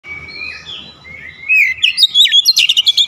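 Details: Oriental magpie-robin in an aggressive "shooting" song display, unloading its repertoire. Soft drawn-out whistles open the phrase, then a loud burst of rapid, sharp, high chirps follows, repeated about three times a second.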